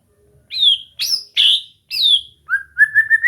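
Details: Training session for a white-rumped shama (murai batu) to make it sing: four loud, bright slurred whistles with pauses between, followed by a quick series of level, tonal notes that climb slightly at the end.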